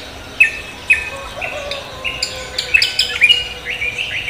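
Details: Cucak kombo singing vigorously to greet the morning: sharp high whistled notes about every half second, then bright rising and falling chirps building into a busier, overlapping phrase near the end.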